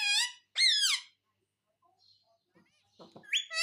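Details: Talking pet parrot, said to say "Mummy Papa"; two loud harsh squawks in quick succession, a quiet pause with faint chatter, then a rising squeaky note at the end.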